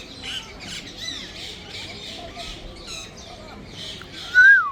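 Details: Grey parrot whistling and making sweet sounds: soft chattering squawks throughout, ending in a loud clear whistle that slides downward.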